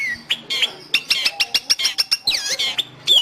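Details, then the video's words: Long-tailed shrike song for training kept birds or luring wild ones: a sequence of about ten quick clipped chirps, framed by squeaky slurred whistles. "Suara burung Cendet / pentet"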